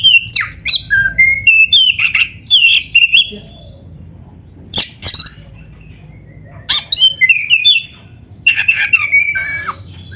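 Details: Training song of a black-breasted magpie-robin, packed with canary-like fills: quick clusters of high whistles and chips, a sharp click-like note mid-way, then further bursts of varied phrases after pauses.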